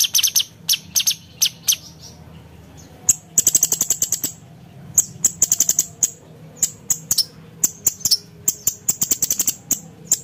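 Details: Brown-cheeked bulbul (cucak cungkok) in a sharp-toned 'nembak' song recorded as a training tutor for competition birds: very high, hard clicking chips delivered singly and in rapid rattling bursts across ten seconds, with a faint low hum behind.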